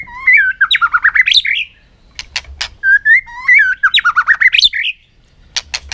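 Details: White-rumped shama singing competitively on a sunny afternoon: two rich warbled phrases of rapid rising and falling whistles, each about two seconds, separated by sharp clicks.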